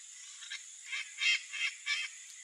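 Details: Wild blue-winged macaw (Primolius maracana) in natural Brazilian Cerrado habitat, giving harsh, raspy calls in five short bursts about half a second apart over a steady high insect-like drone.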